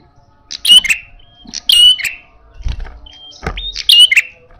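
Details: Loud, combative red-headed prinia: harsh buzzy bursts with sharp whistled overtones, about four in the clip at uneven intervals, broken by short flat whistles, with some low thumping sounds in the background.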